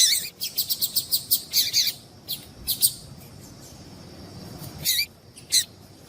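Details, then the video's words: Female double-collared seedeater gives a quick run of thin, high chips, then single sharp chips spaced a second or more apart; female call played to stimulate a male to sing. "Piado de Fêmea de Coleiro para Esquentar Coleiro"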